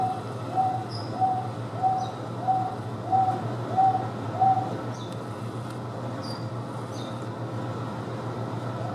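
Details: Captive Wonga pigeon at the Houston Zoo, housed with Taveta weavers, gives seven even, mid-pitched coos spaced roughly 0.6 seconds apart and then falls silent; scattered high thin chirps and a steady low hum continue.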